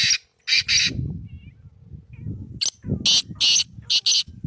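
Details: Black francolin calling: a run of harsh, grating, buzzy notes, grouped in short rhythmic bursts of two to three, with low rumbling background noise between phrases.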